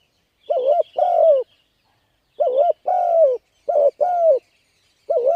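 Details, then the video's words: Spotted dove luring wild birds with repeated double coos, short wavering note then longer falling coo, four pairs, faint high chirping from another bird in the background. "Cu Gáy Thúc Gù Gáy Cực Phê Kích Mồi Tập Bổi Quá Hay"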